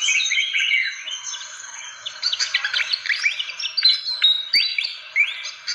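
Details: Fantail call for attracting birds: a rambling sequence of sharp chirps, rising slurred whistles and scratchy twitters, loud and continuous.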